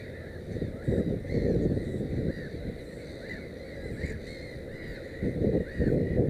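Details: Black-headed gull at its nest with three chicks: short arched squawks repeated irregularly, several close together, over a steady background of distant calling and low rumbling noise.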